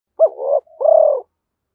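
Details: Spotted dove calling to stir up a decoy dove, in the clipped "thổ" voice style: a short rising note then a drawn-out, slightly falling throaty coo, given once with no other sounds.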